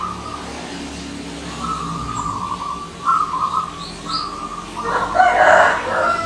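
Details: Wild zebra dove visitor repeating short bubbling coo phrases, several in a row, ending with a louder, broader burst of sound overlapping the final calls.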